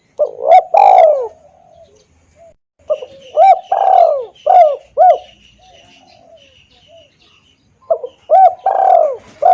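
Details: Loud, clear lure cooing of a spotted dove used to call in wild doves: three phrases of quick hooted notes each ending in a drawn-out coo, separated by quiet gaps with faint background chirping.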